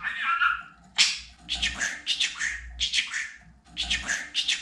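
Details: Chatty pet budgerigar: a warbled whistle, then rapid raspy speech-like syllables grouped in bursts of three or four, with short gaps between them.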